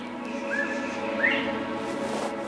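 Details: A Northern Bobwhite, heard unexpectedly during spring migration and then startled, gives two clear whistled notes, the second sliding sharply upward, over a steady wash of background music and hum.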